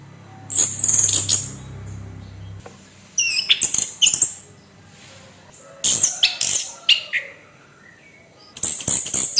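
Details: Orange-headed thrush kept in a cage, harsh provoking song: dense high scratchy bursts of rapid buzzy notes in groups every few seconds, low hum underneath.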